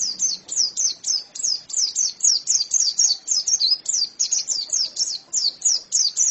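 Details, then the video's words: White-eye (pleci) singing continuously, high-pitched chirps tumbling out at nearly four per second, each note a quick downward flick, forming an unbroken energetic chatter. "Ini pasti pleci yang sangat super itu kicaunya"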